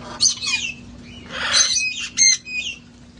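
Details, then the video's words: Several flock parrots at a sanctuary playing outside before the cold set in, giving harsh raspy squawks mixed with short sharp whistled notes in quick bursts, with a steady low hum behind them. "sounds of parrots having fun outside enjoying life"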